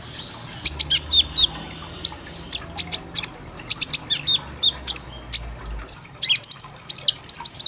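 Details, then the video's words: Kolibri ninja sunbird song for caged-bird training: clusters of very high chips and short whistled notes, with a pause midway, then a dense burst of piercing twitters. "Isian Tembakan Suara masteran kolibri ninja konin Gacor Tajam"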